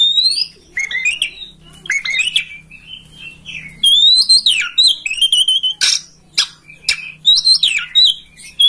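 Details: Kacer master song, an oriental magpie-robin recording for coaxing a home bird to open its tail and sing: bright sliding whistles, downslurred notes and scratchy chatter mixed with crisp clicks, nearly continuous.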